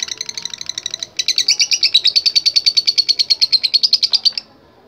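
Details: Lovebird delivering a rival-calling contest song: a short burst of high chatter, a brief pause, then a long run of loud buzzy chirps at about three per second that stops abruptly.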